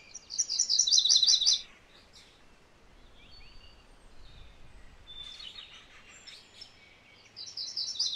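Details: MacGillivray's warbler singing a fast, buzzy chattering phrase of repeated high two-part notes lasting over a second, starting again at the end after a pause filled with faint, scattered chips and thin whistles from other birds.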